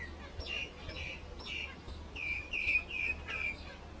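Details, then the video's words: Mynas singing to each other in quick, repeated mid-high notes, some harsh and some clearer and whistled, roughly three per second, over a faint low background hum. "Myna Sing To Each other"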